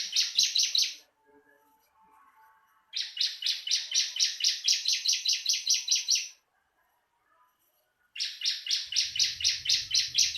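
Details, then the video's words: Rapid chattering song of a bar-winged prinia, recorded for training other birds: three bursts of quick, evenly spaced, bright buzzy notes separated by silent gaps of one to two seconds. "Marteran burung ciblek langsung bunyi"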